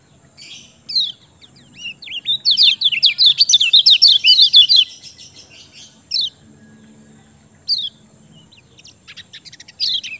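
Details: Lemon-bellied white-eye (kecial kuning) song meant to provoke silent birds into singing: isolated high slurred notes lead into a long, rapid, rattling cascade of sharp twittered whistles, then scattered single notes.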